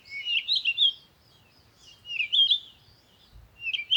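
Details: High, jumbled chirps and squeaky twitters from birds outdoors, in three bursts with brief gaps, above a soft low background hum.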